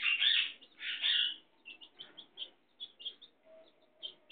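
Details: Hen with her chicks: loud shrill chick peeps at the start, followed by a series of short, quieter high peeps at irregular intervals.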